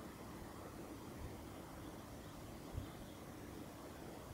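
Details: Low, even outdoor rumble like distant traffic or an aircraft, with no calls heard.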